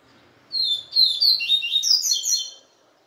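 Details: A captive male yellow-bellied seedeater, just separated from the female after a day with her, sings one quick, bright two-second phrase of high twittering notes with buzzy slurs, in a quiet utility room.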